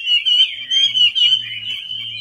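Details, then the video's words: Hwamei song used as a lure for a silent hwamei: a continuous high, rich warble of fluttering whistled notes over a low steady hum. "PANCINGAN WAMBI MACET"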